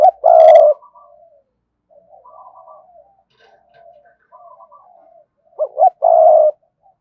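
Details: Spotted dove calling in the thúc gù style, used to stir wild doves into answering: a short rising note, then a loud rough held coo, with faint softer coos in the middle and another strong phrase near the end.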